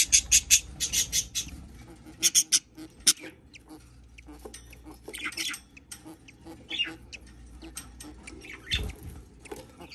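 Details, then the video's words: Hatchling budgerigar with a quick cluster of piercing high cheeps at the start, a second burst soon after, then sparse faint peeps and light scratching sounds. "Baby Budgie Hatching"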